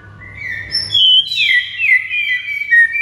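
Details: White-rumped shama training song meant to make other birds answer and sing: loud clear whistles sliding down through a long gliding note, then sustained bright whistled tones.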